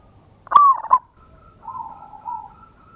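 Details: Local zebra dove lure song, loud and meant to trigger a response: one rapid, bubbling cooed phrase with a clipped ending, followed by quieter wavering coos.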